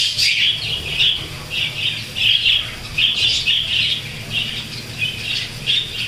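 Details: Cockatiels in a cage with budgies, the female having hatched one chick: a run of harsh, high, scratchy squawks repeated about twice a second over a faint low hum.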